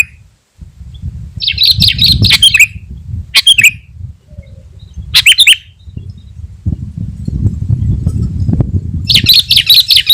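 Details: Lure song of a sooty-headed bulbul meant to provoke rival birds. Scattered bursts of harsh chatter mix with clipped whistled notes, spaced a few seconds apart, over continuous low-pitched rumbling noise.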